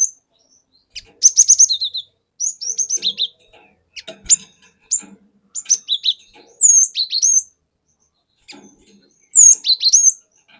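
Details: Forest-caught cinereous tit singing its 'wucit wuit' song as a lure for other birds: varied high whistled phrases, some rapidly repeated, others swooping, spaced irregularly over quiet gaps.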